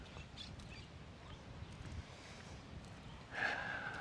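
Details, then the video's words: Green parakeets, many around a large open seaside plaza at Playa Flamenca, Orihuela Costa, Spain: a harsh, grating screech near the end after a few faint high chirps, over a steady outdoor hum. "I think they have concerts here during summer, all sorts of activities going on. You can hear those parakeets. Yeah,"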